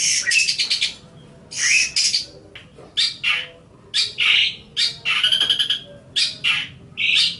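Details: Long-tailed shrike singing, recorded as long-duration training material for songbirds: loud grating, scratchy phrases about half a second long, separated by brief pauses and delivered in an irregular series, with some squawky and chattering notes.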